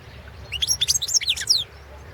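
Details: European goldfinch of the Balkan subspecies balcanica, recorded as an entry in the 2017 internet World Championship in Goldfinch Song run by a Serbian breeding association; a brief, rapid phrase of tinkling, twittered notes over a faint low hum.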